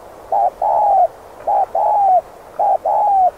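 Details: Spotted dove cooing in the thúc gù style, played to lure wild doves: three mellow low phrases, each a short clipped note followed by a longer, slightly falling drawn-out coo, about one second apart, over a quiet background.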